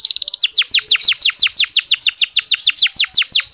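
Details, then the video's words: Canary 'ngeriwik halus' chirping, used to encourage unenthusiastic male canaries to sing: a brief rapid flutter, then an even string of loud downward-slurred chirps, roughly five per second. "Suara Kenari Ngeriwik Halus"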